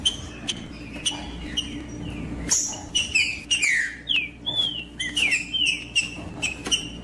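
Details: Trinca-ferro (green-winged saltator) song used to get a cold bird singing: sparse whistles at first, then a lively burst of rich slurred notes, partly overlapping, and a steady low hum underneath.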